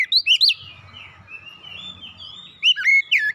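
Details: Kacer song played as therapy to help a stressed bird recover: clear whistled upslurred and looping notes at the start and end, separated by a soft sustained high whistle.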